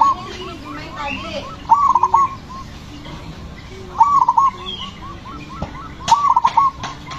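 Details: Zebra dove, described as loud, aggressive and a tireless singer, cooing in the ngepat rhythm used to provoke other doves to sing: a short burst of rapid bubbling coos about every two seconds, with fainter coos and background noise.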